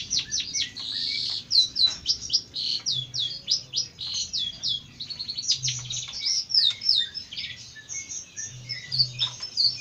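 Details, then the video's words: Jentet bird song of high, fast chirps and hooked whistled notes repeated several times a second, lively and varied, with a faint low hum underneath. "Kicau mania burung Jentet bersuara"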